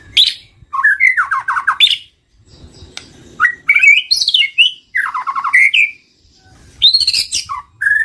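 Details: White-rumped shama song used as a lure sound for attracting birds: loud, varied bursts of rich whistles, slurred rising and falling notes and rapid chattering trills, delivered in phrases of one to two seconds separated by short pauses.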